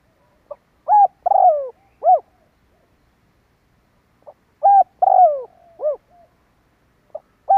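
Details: Spotted dove lure call for attracting wild birds: two phrases about four seconds apart, each with a soft pip, a short coo, a long descending croo and an arched closing coo, with a third phrase starting.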